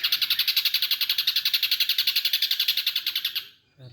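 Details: A caged ashy drongo performs a learned kingfisher (tengkek) imitation. It is a fast, even rattle of sharp notes, about seven per second, for over three seconds, then stops abruptly.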